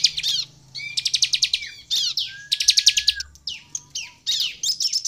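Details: Lively bar-winged prinia, its song played to stir other prinias to sing: quick stuttering trills of high rattling notes in repeated bursts, with long thin steady whistles running beneath and brief chips between.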